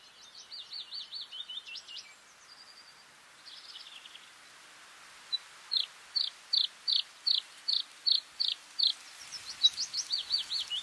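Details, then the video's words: Bluethroat song with rapid bouncing trills and short metallic phrases, then a long series of loud, evenly spaced ringing notes repeated about twice a second, ending in a quick chattering trill. "Bluethroat (Luscinia svecica) song"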